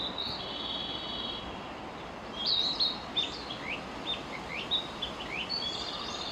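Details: Narcissus flycatcher singing: after a faint opening, bright whistled notes and short down-slurred phrases repeat quickly from about halfway on, set against constant hissing background noise.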